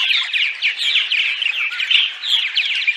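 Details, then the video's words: Purple martins chatter in daylight with rapid, rolling gurgled chirps and a few high squeaks, the overlapping notes pulsing in short bursts. "Attract Purple Martins (10 hours of Daytime Chatter)!"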